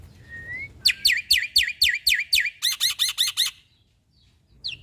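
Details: Black-winged starling (jalak putih), a recording to train caged birds: a soft rising whistle, then about eight loud down-slurred notes, five quicker doubled notes, silence, and one final high note.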